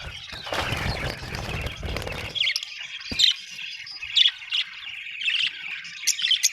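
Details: A burst of broadband rustling opens, then budgerigars chirp and squawk in short separate bursts about once a second against soft background chatter.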